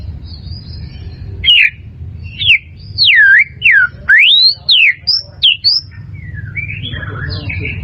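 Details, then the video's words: White-rumped shama song, used as training material for caged birds and contest preparation: loud, clear whistled notes that slur steeply up and down, delivered as separate phrases about half a second apart over a low background hum. "SUARA MURAI BATU"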